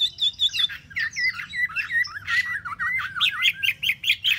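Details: Three months caged, a Chinese hwamei pours out a fast varied song of clear whistled notes, swooping slurs and short repeated phrases, with crisp rhythmic accents near the end.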